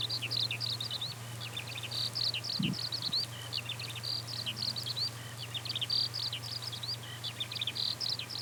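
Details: A skylark singing during its rising song flight, somewhat distant. Its thin, high chirps and trills come in looser bursts with short gaps, over a constant low hum and a brief low thump.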